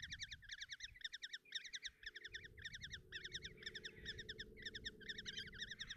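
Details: Kestrel nestlings in a Hungarian nest box at Tiszalök, June 30, 2024, calling as their mother delivers food: grouped bursts of sharp, rapid chitters, roughly two bursts per second, over a low background hum.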